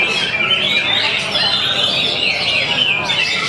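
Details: Oriental magpie-robin in a cage on a hanging pole, singing calmly and pouring out its learned repertoire; brief burst of sharp, high whistles and quick trills, other birds audible behind.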